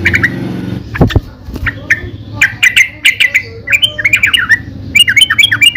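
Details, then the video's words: Bulbul song, yellow-vented, building from scattered notes after a low thump into dense bubbling phrases of quick rising and falling chirps. "Suara Burung Trucukan"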